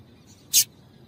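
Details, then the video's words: Short high-pitched call note of a female double-collared seedeater, used to warm up males; one crisp, harsh chip with only faint low hum around it. "Piado de Fêmea de Coleiro para Esquentar Coleiro"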